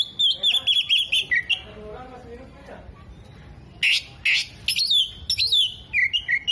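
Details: An Oriental magpie-robin in strong song, mimicking hummingbird, other birds and lovebird: a trilled whistle series, a quiet gap, then loud raspy bursts and descending whistled phrases.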